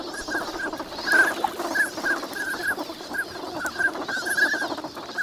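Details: Flock of migrant ducks spending winter at Nagahama on Lake Inawashiro, Japan, active on a fine morning. Frequent short nasal calls ring out over steady, murmuring group chatter.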